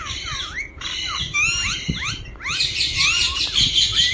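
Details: Talking ringneck parrot, a green parakeet, giving a run of sharp rising and falling squawky notes, harsh and high, several overlapping in quick succession with brief pauses between bursts.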